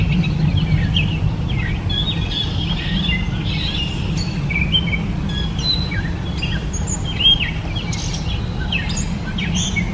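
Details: Gray Catbird (Dumetella carolinensis) giving an unbroken, improvised-sounding run of scratchy chirps and thin high squeaks in varied order, set against a constant low hum.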